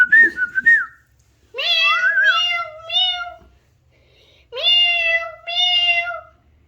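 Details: Talking Alexandrine parakeet: a short wavering whistle, then two pairs of long, harmonic, meow-like phrases separated by silence.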